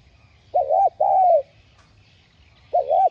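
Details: Spotted dove (cu gáy) cooing to lure wild birds: two arched mellow notes, the second drawn out and falling, then another short coo begins after a pause.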